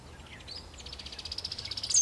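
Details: Cowbird giving a few soft high notes and a brief sliding whistle, then a fast series of sharp, high-pitched chips that grows louder, ending in a bright high note.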